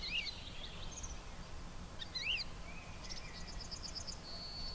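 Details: Woodlark song from high in the sky, a string of evenly repeated high, pure notes that runs on, with scattered chirps and sliding whistles from other birds and a steady hiss beneath.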